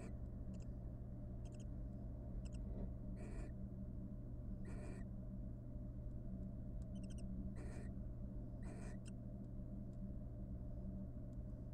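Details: Wild barn owl pair courting in a monitored nest box after raising three nestlings: short, breathy, hissing screeches at irregular intervals, mixed with faint ticking sounds, over a steady low electrical hum.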